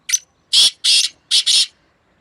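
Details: Black francolin in a fierce calling match between two birds, May 2024: a brief high first note, then two extended buzzy, harsh notes and a tight doubled note, with no other sounds.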